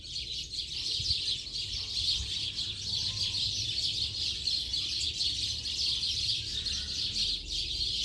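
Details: Late-afternoon gathering of house sparrows, many birds chirping at once in a continuous, busy chatter that swells and dips slightly, over a low background hum.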